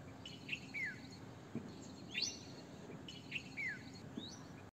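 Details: Red-vented bulbul repeating a short phrase twice: a clear note followed by a falling slurred whistle, with a higher upswept chirp in between, over low background noise.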